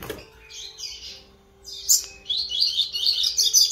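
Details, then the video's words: Young double-collared seedeater (coleiro) practising song on 11 September 2021: rambling, twittery high phrases, soft at first then louder and busier, over a faint steady indoor hum. "Coleiro Terceira Nota Ensaiando canto Filhote"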